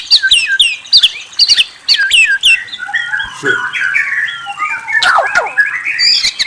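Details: White-rumped shama singing whistles and trills: crisp high down-slurred notes in quick succession, giving way to a tumbling chatter of mid-pitched warbles and a fast rattling trill near the end.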